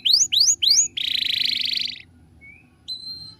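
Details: Canary song used as master song for training birds: three quick rising whistled sweeps, then a dense buzzy trill, a faint thin note and a final steady whistle.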